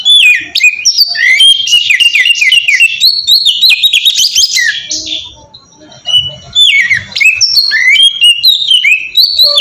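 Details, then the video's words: Oriental magpie-robin delivering melodious ngeplong song meant to make kept birds sing: long run of rapid, varied whistles and chattering notes, a short lull, then more slurred whistled phrases. "suara burung kacer ngeplong merdu sangat ampuh buat pancingan kacer bahan bikin cepat gacor"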